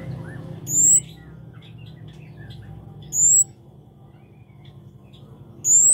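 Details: Lively singing Scarlet-backed flowerpecker, called kemade or cabe cabean: three thin, very high rising notes about two and a half seconds apart, with quiet twitters of other birds and low droning hum beneath.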